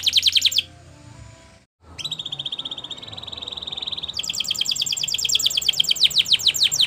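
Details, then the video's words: Canary training song: a loud pulsed trill breaks off into silence, then returns as a smooth high rolling trill that builds into a louder, faster series of rich repeated notes. "Best Canary Bird Sounds!! Suitable for your canary training"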